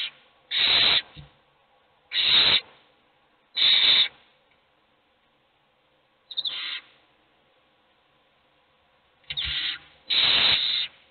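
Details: Hungry owl nestlings begging while just one receives food: six rough, hissing screeches spaced unevenly across eleven seconds, some close together and a long gap in the middle.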